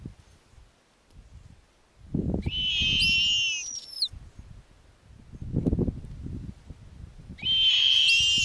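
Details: Snowy owl owlets in an Arctic nest on a warm summer night as the female returns with a lemming to feed them: thin, high wavering squeals in two bursts, with low rustling and thumping between.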